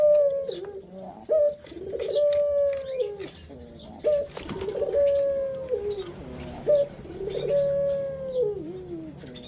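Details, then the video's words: Captive puter (Barbary) dove giving a lure call meant to stimulate other birds: a sharp rising note, a brief rolling burr, then a long steady mid-pitched coo that dips at the end, repeated about four times, with faint high chirps behind. "Pancingan Burung Puter Paling Keren"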